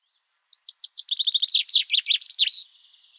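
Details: Common chaffinch (Fringilla coelebs) song: one bright two-second phrase, a run of high notes speeding into a falling trill and ending in a short flourish, with nothing else heard.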